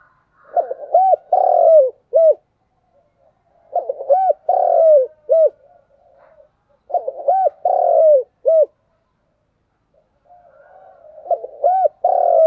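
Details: Spotted dove repeating its 'thúc gù' continuous cooing phrase four times, roughly every three and a half seconds, each of stuttered low hoots, two arched coos and a long falling note, with quiet pauses between.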